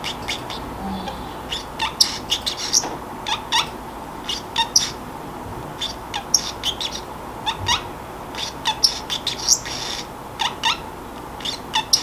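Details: Sleepy pet Pacific parrotlet talking to itself in a quiet room, in its odd chattering manner: a steady string of quick, clipped chirps and squeaks, often in pairs or small bursts, running throughout against a soft background hiss.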